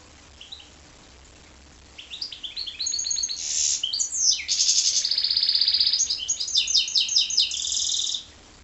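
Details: Canary crossed with goldfinch delivers a rising series of short notes, then loud rolling trills and a long buzzy sustained phrase, ending in rapid chattering.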